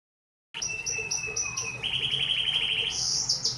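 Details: Canary song: rapid trills and buzzy rolled phrases, a steady mid-high trill followed by a rising bright high-pitched rattle, with short chips repeated in quick succession.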